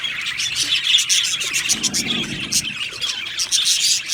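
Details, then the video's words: Australian budgerigars chirping in an aviary colony, busy high twitters and warbles layered densely, with a soft lower murmur briefly underneath mid-way. "Budgie birds Chirping sounds"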